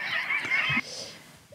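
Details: Little auk, a sociable Arctic seabird that chatters on its rock, gives one harsh, nasal, high chattering note lasting under a second, with a laugh-like quality, followed by near quiet.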